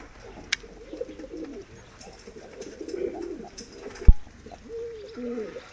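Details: Several medium-sized diving tumbler pigeons coo softly in low, wavering rolls, with a clearer bubbling coo near the end, punctuated by a sharp knock and light handling noises.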